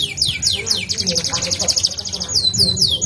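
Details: Canary in fast rolling song: sweeping whistles lead into a dense trill of high descending notes, closing with slower swept whistles.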